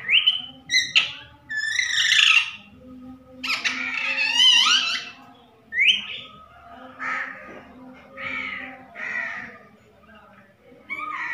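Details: Talking parrot producing loud, raspy, wavering squawked phrases, some long and buzzy, others short and clipped, separated by brief gaps over about eleven seconds.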